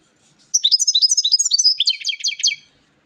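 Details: Goldfinch song, a bright, fast chatter of high liquid twitters and buzzy trills in a continuous two-second phrase, notes tumbling quickly one after another before stopping cleanly.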